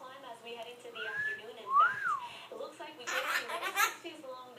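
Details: Pet Red-shouldered (Hahn's) macaw playfully mimicking a laugh: a rising-and-falling whistle, then a burst of harsh, cackling laughter lasting about a second, with soft human speech underneath.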